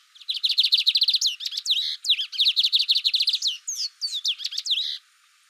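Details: Lined seedeater song: fast rattling series of high, evenly repeated chirped notes, then sweeping whistled slurs, then another rapid run ending in looping slurred notes; continuous, bright and energetic, no other sounds.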